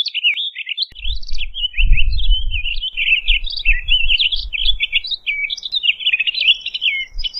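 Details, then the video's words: Townsend's solitaire singing a long, continuous run of rapid warbled phrases, with fluty notes tumbling up and down without pause, over a low rumble. "Townsend's Solitaire Song! Townsend's Solitaire Call! - Solitario Norteño Canto"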